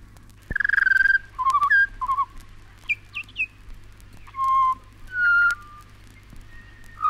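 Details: Pied butcherbird singing in Australia: a clear, flute-like whistled note held about half a second, then shorter falling and rising whistles, several higher slurred notes and two long mellow tones, separated by short pauses. A faint low hum runs underneath.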